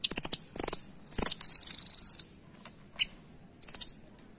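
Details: Rambatan, the velvet-fronted nuthatch, calling in loud, high, rattling trills: quick clusters of sharp notes, then one longer trill lasting about a second, and a final short burst after a pause.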